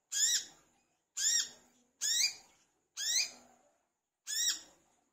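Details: Lure recording of an energetic olive-backed sunbird (wiceh, manggar) meant to get other birds singing. Five bright, rising-and-falling chirps come about once a second, each with a short fading tail and silence between.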